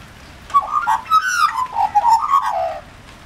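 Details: In rain, an Australian magpie from a regularly visiting pair chortles for food: a fluid, yodelling sequence of mellow warbled notes, quickly modulated, lasting over two seconds before fading.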